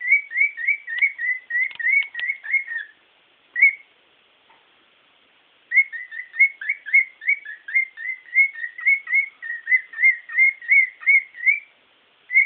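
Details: Singing its happy song, the bird gives rapid runs of short, bright whistled notes, several per second, with two pauses between the runs, in a quiet setting.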